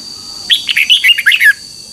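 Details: One rich, bubbling phrase from a red-whiskered bulbul, played for training caged birds: about seven quick warbled whistles rising then tumbling lower, lasting one second.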